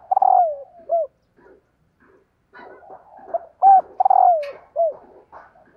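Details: Female spotted dove calling to excite males: a mellow slurred coo sliding downward, then a short rounded note, the phrase given twice with quieter murmuring coos and soft fluttering notes between.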